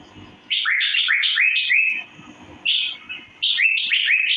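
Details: Asian fairy-bluebird (cucak biru) chirping for mastering: three rapid bursts of linked upward-swooping whistles, each lasting one to one and a half seconds, separated by short quiet gaps.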